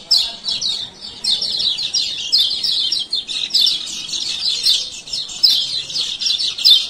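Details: Kecial kuning, a male lemon-bellied white-eye of Lombok, in fast 'ciak ciak' chattering meant to coax quiet birds into opening their beaks; steady runs of sharp, high, twittering notes throughout.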